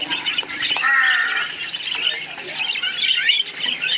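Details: Busy parakeet colony: a continuous wash of harsh squawks and chirps from many birds, one louder grating call early on, the chatter never stopping.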